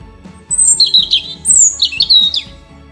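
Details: Male European robin (robin redbreast) singing thin, high, wistful territorial phrases that tumble and waver, with brief pauses between, over faint music; sings from a tree within his territory.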